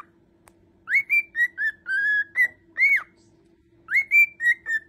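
A white-faced cockatiel whistles a clear, tuneful phrase of rising and level notes, then repeats it.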